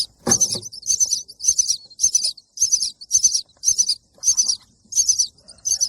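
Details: Baby bird chirping for food in short, evenly spaced high bursts, roughly two per second, each a quick shrill double chirp; one low thump near the start.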